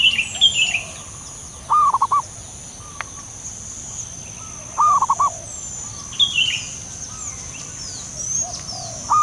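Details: Soft call of a wild local zebra dove (perkutut): quick trilled bursts of four or five low coo pulses, repeated three times at intervals of about three seconds. Another bird whistles higher phrases between them, with a constant high hiss behind.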